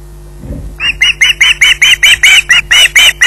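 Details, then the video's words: Between bouts of pottering, an osprey at Loch Garten waiting for food launches into a steady string of loud, hoarse squawks, roughly two and a half per second, after a soft thump. "pottering between squawks waiting for food"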